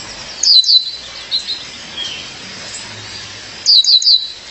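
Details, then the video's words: A female violaceous euphonia calls to her mate with two quick bursts of two or three high, thin, bright chirps, about three seconds apart. "Fêmea de Guriatã, chamado seu parceiro."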